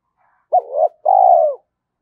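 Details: One complete spotted dove phrase, played to get decoy birds cooing fast: a brief hooked note, a rising wavering note, a tiny gap, then a long even coo that falls at the end.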